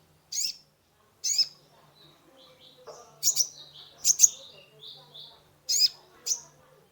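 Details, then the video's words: Kolibri ninja sunbird in full, lively song meant to stimulate a stressed caged bird: sharp high chips and paired notes mixed with thin sliding whistles, over a faint low murmur. "Terapi pancingan konin gacor full isian mengatasi burung stress"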